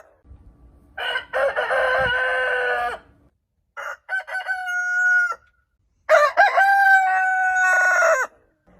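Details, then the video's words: Three rooster crows at morning, the first harsh and buzzy over low thumping noise, the next two clearer with a stuttered start and a long level ringing note, separated by silence. "Morning Hen Sound & Rooster Sound Effect - Cock Dance Suara Ayam Jago Berkokok"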